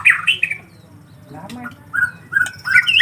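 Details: Young collared kingfishers give loud, hoarse squawks, some bent upward, in short clusters separated by quieter gaps. A faint low hum runs throughout.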